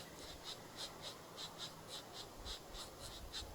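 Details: Two Pileated Woodpecker nestlings in a nest inside a rotten tree squawk for food: quick, raspy, high squawks, about two or three a second in uneven bursts, over a low rumble of background noise.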